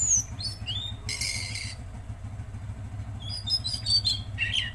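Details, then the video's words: Tledekan Laut singing energetically: sharp, high whistled chirps and slurred notes, with a buzzy burst near one second and a twittering cluster toward the end, over a steady low engine-like hum. "Masteran Burung Tledekan Laut Gacor"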